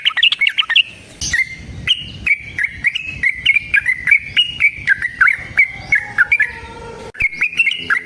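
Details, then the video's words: Long-trilling song of a yellow-vented bulbul, used as a lure to make kept birds sing back: a quick burst of bubbly notes, then a steady string of short slurred whistles, each roughly half a second apart, over sharp clicks. "TRUCUKAN GACOR TARUNG ROPEL PANJANG Pancingan trucukan Agar Bunyi Jadikan Burung Trucuk Gacor Nyaut"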